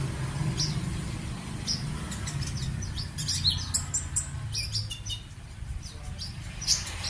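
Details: Sunbird singing a quick cluster of high, sharp chirps and twittering notes midway, with a few isolated tweets before and after, over low rumbling background noise.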